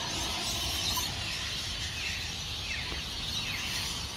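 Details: Rainbow lorikeets by the hundreds at Burleigh Heads Beach, South East Queensland, Australia, before sunrise, leaving roosts in Norfolk Pine trees: high dense chattering with a few clear descending squawks.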